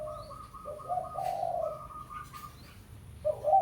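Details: Spotted dove (tekukur pesom) lure call for drawing a rival: a string of short, higher, evenly spaced notes over a low husky coo phrase, ending with a sudden loud coo onset.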